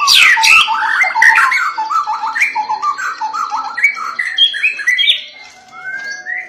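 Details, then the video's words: Insistent song of a white-rumped shama, the kind described as triggering other shamas to start singing; opens with a sharp high squawk, then a fast string of short looping whistles and bubbling notes, closing with long clear rising whistles. "Murai Batu Lain AUTO GACOR Terpancing dengar KICAUAN Murai Ngotot seperti ini"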